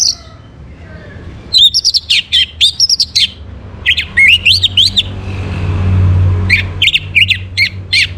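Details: Orange-headed thrush singing in the morning, used to bring birds into breeding condition: fast bursts of sharp, varied whistled notes at high pitch, some rising and falling, in quick runs with short pauses, over a steady low rumble.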